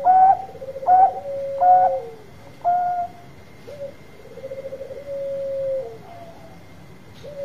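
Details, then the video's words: Bangkok zebra dove singing loudly to draw replies from other doves: a series of short, clear, slightly falling coos followed by a long, trilled, level coo over background hum. "Perkutut Bangkok Gacor Suara Besar Tepat Buat Pancingan Cepat Nyaut."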